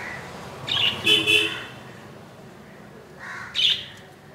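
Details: Tiny budgerigar chick in the nest, hatched 15 July 2018 at 2 AM, now two days old; a run of three quick scratchy chirps, then a pause and two more rasping calls.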